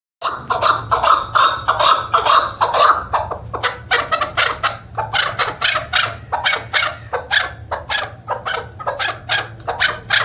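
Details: Female chukar partridge calling, a bird used by hunters; rapid, harsh chuk notes repeated about twice per second, first blurred together, then separating into a steady series of clipped pulses.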